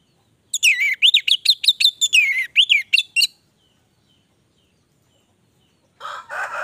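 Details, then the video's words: Energetic 'gacor' song of an orange-headed thrush: a fast burst of looping whistles and harsh chatters for nearly three seconds, then silence, then a broad rustling noise near the end. "Anis merah gacor durasi panjang"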